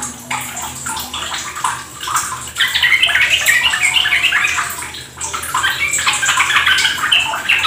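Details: Trickling water under a swelling chorus of Yellow-vented Bulbuls, recorded as a lure for caged birds to join in fast ropel song; rapid chirped phrases grow louder midway and carry on unbroken.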